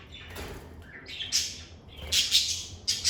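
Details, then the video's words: Pet lovebirds in a calm, stress-free setting giving loud, high, harsh chirps in uneven bursts, several quick notes crowded together toward the end, over a low steady hum. "Lovebird Singing & Chirping Sounds"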